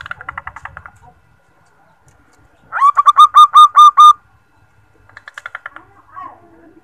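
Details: A female zebra dove calls the male as a lure, giving a loud series of seven staccato coos. Fainter, similar runs come before and after it.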